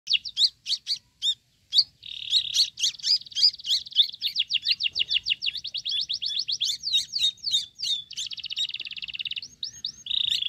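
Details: Young Sooty-headed bulbul chick being fed crickets, begging with rapid high chirps, sharp downslurred notes running into a long series of fast buzzy pulses, then a steady trilling buzz; quiet background.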